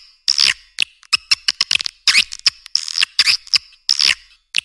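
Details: Lure sound meant to draw edible-nest swiftlets into nest houses: squeaky twittering bursts about every second, separated by quick, sharp clicks.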